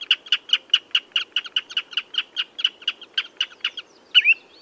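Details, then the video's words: A common redshank calls in a quick run of short, bright piping notes that slow slightly toward the end, closing with a single drawn-out slurred whistle. "Tiếng Chim Choắt Chân Đỏ"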